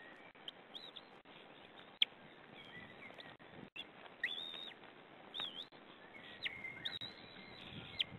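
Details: At a white-tailed eagle nest camera on 2 May, an adult feeds the chicks leftover fish. High, thin whistles rise and then level off, coming in short bursts with small clicks and rustles between them over background hiss.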